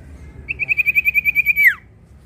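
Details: Prinia trill used as a lure for other birds: about a dozen fast high pulsed notes at steady pitch, ending in a swooping downward slur, over low background noise.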